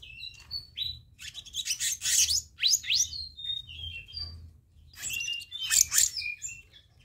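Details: Black-naped monarch lure recording for training birds: a lively jumble of thin whistles, upslurred notes and scratchy chattering bursts that run almost continuously, with a brief pause before a final loud chattering phrase.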